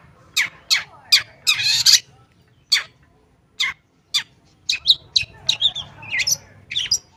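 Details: Long-tailed shrike singing as a lure for shrikes that have gone quiet: spaced sharp downward chips, a harsh rasping burst, a pause, then a busier series of varied twittering and whistled notes.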